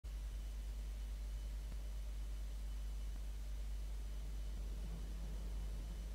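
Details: Constant deep rumble and broadband hiss, like traffic or wind, with no animal calls.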